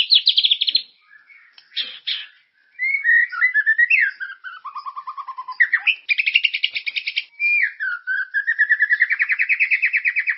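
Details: White-rumped shama song used as a lure to set other caged shamas singing, described as nonstop and full of character. Varied whistled phrases slide up and down, broken by quick buzzy trills and a long, evenly repeated rising note series toward the end.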